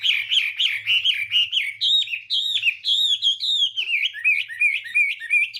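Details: Chinese hwamei singing in the morning as voice training to provoke song; steady stream of loud looping whistled notes, rising and falling, with a faint low hum.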